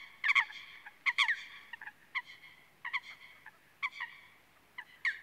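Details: Eurasian coot (Fulica atra) calling with explosive, harsh, ringing notes, some doubled or tripled in quick bursts, irregularly spaced over five seconds, with faint background hiss.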